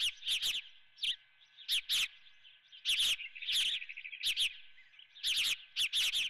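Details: Osprey at the Dunrovin nest with live golden fish for breakfast, calling in rapid clusters of shrill chirps separated by short pauses, over a faint constant hum.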